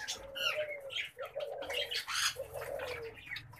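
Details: Pet common babblers calling: a run of harsh, nasal, slightly gargling notes with a low steady tone underneath, broken by brief pauses, loud and close.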